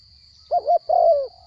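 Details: A small-voiced spotted dove, wild-caught and now captive, delivers one coo: a quick double hoot, then a long, mellow coo sliding slightly downward. A steady high whine is present throughout.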